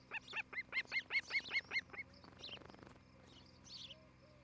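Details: Osprey nest cam, Charlo, Montana, 11 July 2018 in the morning; about ten fast, whistled chirps over two seconds, followed by faint rustling and a few soft high notes.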